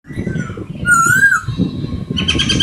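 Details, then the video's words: Very young sanwu (poksay, barau bird), about two weeks old, kept in a cloth-covered cage, singing; a clear whistled phrase rising and falling near the middle, over steady low rumbling noise, with a brief higher twitter at the end. "My very young sanwu singing inside cloth"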